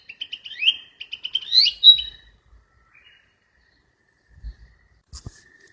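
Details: Wild flycatcher sings a brisk two-second phrase of quick chirps and a swooping upslurred whistle, followed by quiet with a few soft knocks and a distant high tone.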